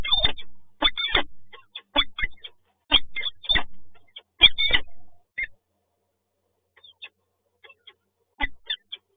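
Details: Peregrine falcon at a nest site in Toruń, Poland, male bringing food to the female; loud harsh repeated cries in clustered bursts, then quieter scattered notes after a pause.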